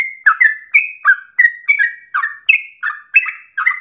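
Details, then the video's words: Song of a yellow-vented bulbul, played as a lure so other bulbuls sing at length; steady run of bubbly, fluty phrases, each a short rising or falling slur, about three per second, no other sounds. "PANCINGAN TERBAIK agar trucukan menjadi gacor ropel nafas panjang"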